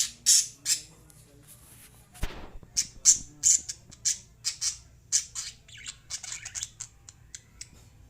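Lovebirds give shrill, high squawks and chirps in uneven bursts, several a second at times, with a low hum behind them.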